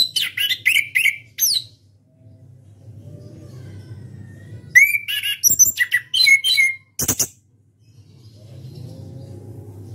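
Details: Champion orange-headed thrush in ngeplong song: rapid bursts of rich whistles, slurred rising notes and harsh chattering phrases, a pause of quiet hum, then another long loud mixed phrase ending with a sharp note.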